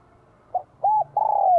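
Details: Vietnamese spotted dove with a bell-like voice, singing in spring 2023 to excite wild doves: one brief soft note, an arched mellow coo, then a long, slightly vibrating coo that slowly falls in pitch.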